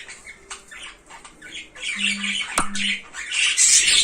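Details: Cockatiel described as naughty, with rough, scratchy squawks repeated about four times a second, softer at first then building to loud, dense screeching at the end; a low steady hum and one sharp click.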